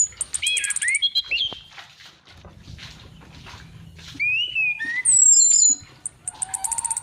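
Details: Lure recording of a female orange-headed thrush: quick trilled bursts, twisting mid-pitched warbles, then a long, loud, high whistle sliding down, ending in a fast buzzy rattle.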